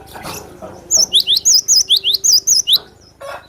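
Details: Glatik batu, the cinereous tit, singing energetically for use in tutoring other songbirds: about eleven loud, high, looping whistled notes in rapid succession, switching between a higher and a slightly lower wavy figure, followed by a brief soft rustle.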